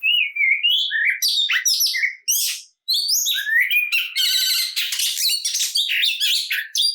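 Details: Oriental magpie-robin giving an emotional, combative song to stir up other kacer: varied whistles and downward slurs, then harsh buzzy rattling notes and dense scratchy chatter after a short pause.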